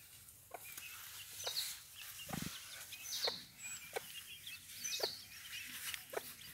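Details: Mother hen guarding her chicks: soft low clucks spaced about a second apart under faint high chick peeps and steady background hiss, with one deeper thump midway.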